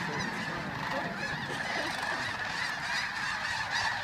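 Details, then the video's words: Dawn take-off of masses of geese at the Flight Deck, Bosque del Apache, New Mexico, November 2013: an unbroken wall of honking from countless birds, steady and even in loudness throughout. "Geese at sunrise, Bosque del Apache"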